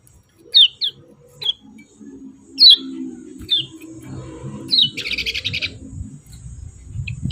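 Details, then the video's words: Kecial kuning, the yellow-vented bulbul, giving 'ciak' calls meant to provoke rivals: single sharp, high downslurred chirps spaced about a second apart, then a short buzzy trill, with a low hum and thuds beneath. "CIAK CIAK JOSS KECIAL KUNING BANGKITKAN EMOSI LAWAN KECIAL SUSAH BUNYI IKUTAN GACOR"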